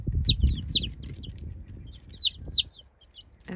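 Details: A chick gives loud, shrill peeps sliding sharply downward, often in quick pairs, in two bursts over low rumbling; it is a distress call from a chick separated from its family while chicks are introduced to the flock.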